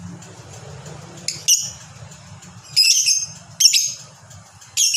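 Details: Lovebird of fighter type, described as singing a long 'ngekek' chatter: short, harsh, high, buzzy bursts of rapid chattering about a second apart, between quieter stretches with a low background hum.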